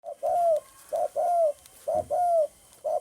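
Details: Spotted dove recorded on 9 May 2020, giving low cooing phrases: a short soft note followed by a longer, slightly falling coo, repeated about once a second with brief gaps, over a faint high steady hiss.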